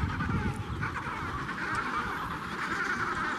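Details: A colony of Adélie penguins at Tay Head, Antarctica, gives a chorus of many harsh, croaking calls that overlap into a steady din, with low wind rumble beneath.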